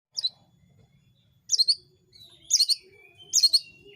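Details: Oriental magpie-robin, a kept songbird, in a recording meant to provoke other magpie-robins into singing back; four short bursts of high chirps in about four seconds, some with a thin whistled tail, over a faint low hum.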